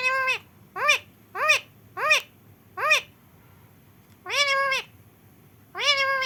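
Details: Rescued pet parrot that cannot fly, kept at home since a small baby and taught to speak: five short, arched, nasal syllables about half a second apart, then two longer drawn-out vocal notes, indoors with a quiet background.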